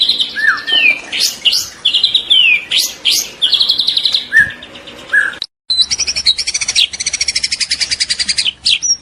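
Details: Spotted young White-rumped shama singing vigorously: falling whistled slurs and buzzy trills, a brief silent gap, then a long rapid buzzing trill ending in an upward flick.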